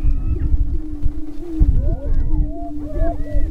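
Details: Lek of Greater prairie-chickens in northwest Minnesota near Crookston, filmed April 27, 2013, during the spring mating display: continuous low hooting drone, scattered higher rising and falling whoops, strong wind buffeting underneath.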